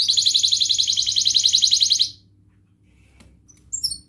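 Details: Canary lure song for lazy canaries: a quick high rolling trill lasting about two seconds, then near silence and a few faint chirps.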